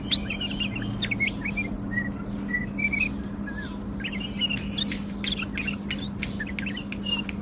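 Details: Tame male bulbul in Baghdad, Iraq, singing scattered whistled notes, then louder rising and falling whistles near the end, over a steady background hum.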